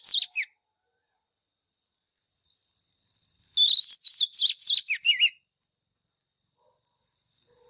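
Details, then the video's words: Training song from a lure white-rumped shama: a couple of sharp notes, a quiet stretch with a faint high steady whine, then a fast string of bright, looping whistles lasting under two seconds. "Chòe than mồi # Chòe than mồi Hót đấu CHIM RỪNG || Luyện giọng chòe than hót"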